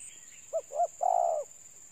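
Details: Spotted dove giving a single coo phrase, two brief low notes and then a longer, slightly tremulous coo, over a constant high-pitched insect drone.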